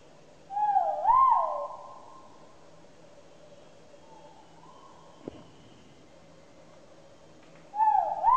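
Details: Great argus, known locally as kuau raja, giving a loud two-part whistled call that rises, dips and rises again, then trails off in a long echoing tail; a second call begins near the end over quiet background.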